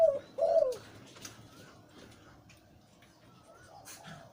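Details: Zebra dove, a breeding male with a deep voice. Two low, mellow coo notes open the recording in quick succession, then only faint background rustle and distant thin chirps.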